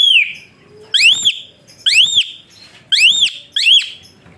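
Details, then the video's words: Asian pied starling whistling to train other birds, a series of loud arched upslurred whistles repeated about once a second, each clean and strongly harmonic. "Burung Bersuara PELUIT Jalak Suren"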